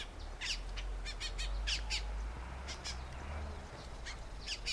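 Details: Colombian mountain grackle, endemic to Colombia, from oak forest of the Eastern Andes near Bogota, giving harsh, clustered bursts of short noisy notes in quick series, over steady low rumbling background noise.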